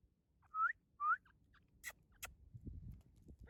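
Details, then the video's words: Grey francolin at breeding season start giving two loud, rising whistled notes about half a second apart, followed by a couple of sharp clicks and a low background rumble. "Teetar sound | teetar ki awaz"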